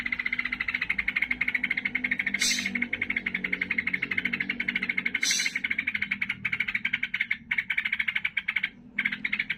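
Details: Sooty-headed bulbul (trucukan) chattering emotionally, as when fighting: a continuous, fast, even stream of ticking notes, interrupted by two short, higher bursts and a few brief gaps near the end.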